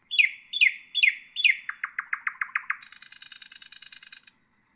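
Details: Nightingale song used to train bulbuls and songbirds: four sharp down-slurred notes, then a fast series of clicking strokes, ending in a dense buzzy rattle over a silent background.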